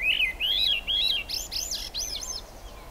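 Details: Swainson's thrush in the rain, Squamish Estuary, July 6, 2022: a run of bright, looping whistled notes, each climbing higher than the last, in a rapid spiralling phrase.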